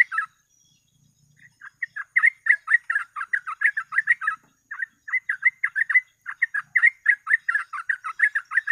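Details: Yellow-vented bulbul, locally trucuk, in continuous rapid chatter played as a bird-catching lure. Short bubbly notes run in fast bursts, with brief pauses between them.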